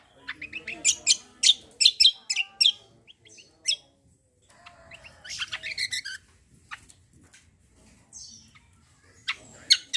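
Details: Javan grey-throated white-eye in full song, played to provoke other birds: clusters of sharp, high, scratchy chirps and short trills, with quiet gaps between bursts.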